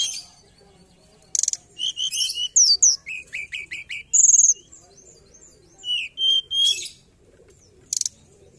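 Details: Mountain forktail lure call: a rapid, uneven run of thin, high chirps and sharp rising whistles, several notes a second, with a few brief harsh bursts between.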